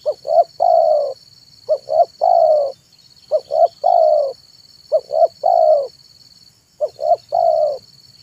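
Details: Afternoon song of a zebra dove used to lure wild birds: five evenly spaced phrases of two or three short coos ending in a longer rolling note, about every 1.7 seconds, with steady high hum.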